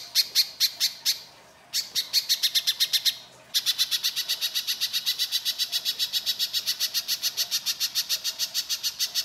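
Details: Harsh, vigorous little spiderhunter song used as a lure for other birds: a few high, sharp chips, two brief silent breaks, then an unbroken, fast, even stream of clipped notes.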